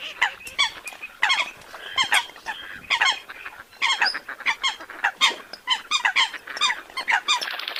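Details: Several Eurasian coots give harsh, nasal, honking notes in irregular clusters. The calls overlap into a steady, squabbling chatter throughout.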